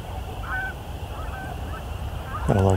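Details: After sunset during migration and breeding season, by a road next to a quarry, distant Canada geese give faint nasal honks every half second or so over a low rumble, among Wilson's snipe, woodcock and horned larks, before a closer voice cuts in.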